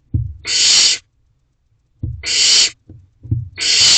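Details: Owlet of a wild barn owl pair in nest box C, evening of 7 May 2023, gulping down a rabbit whole; repeated long, rough hissing screeches, each preceded by a short low knock or shuffle, about two seconds apart.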